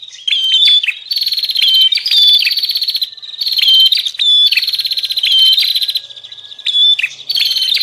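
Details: Bar-winged prinia lure call meant to draw in wild birds: bursts of loud buzzy rattling about a second long, separated by quieter whistled notes.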